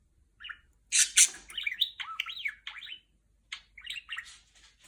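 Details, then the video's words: Pet female budgerigar chattering R2-D2-like sounds: loud broadband bursts followed by quick warbled, bending whistles and chirps in short phrases with brief pauses, indoors and without other sounds. "#セキセイインコ #おしゃべり ♪ #鳴き声"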